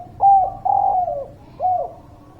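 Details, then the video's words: Singing spotted dove, a lure sound to draw reluctant birds into song: a short level coo, a longer coo gliding downward, then after a pause a single hooked falling coo, all low and mellow. "Suara Pancingan Derkuku Gacor, Burung Malas Bunyi"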